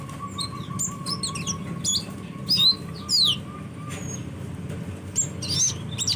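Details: Sunbird, known as kolibri, producing sharp high downslurred chirps in loose clusters, a few louder notes standing out, while a soft lower tone pulses steadily behind.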